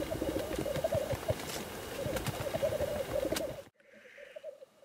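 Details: Black grouse at a lek display, a steady bubbling, cooing roll running without pause, with sharp clicks and bursts of wind noise, then the rolling continues more quietly after a sudden drop in background.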